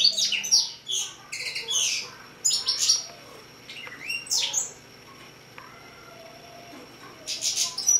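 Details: Young hybrid finch, aged six months, singing in short bursts of quick, high twitters and slurred whistles, separated by gaps of about a second, with a quiet steady hum behind.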